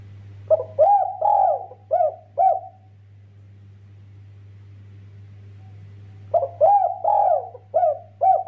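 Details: A spotted dove repeats its five-part 'kuk 2' coo twice, the phrases about three and a half seconds apart, each with long mellow middle hoots and brisk final notes; low hum underneath. Intended to prompt other doves to sing.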